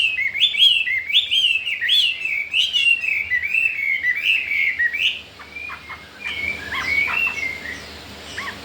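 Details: Chinese hwamei, wild-caught and caged only four days, wanting to breed, pours out a run of looping whistled phrases for five seconds, followed by quieter scattered high notes.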